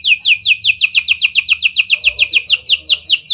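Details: A canary's lovebird and prenjak style song, used as a lure for other canaries: evenly spaced, piercing downslurred chips repeated quickly and steadily, about four each second.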